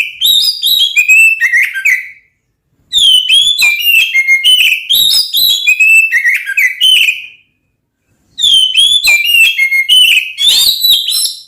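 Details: Oriental magpie-robin singing to stir up rival magpie-robins: three long bursts of varied whistles, slurs and sharp chips, each several seconds long, separated by clear silences.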